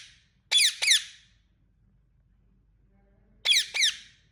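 An Indian ringneck parakeet gives two quick pairs of shrill, harsh chirps, each pair about half a second long, separated by a pause of nearly three seconds.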